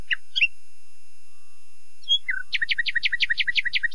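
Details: Common nightingale song: a couple of short scratchy notes, a pause, a whistled slur, then a fast, even series of about a dozen sharp chirps, roughly seven per second.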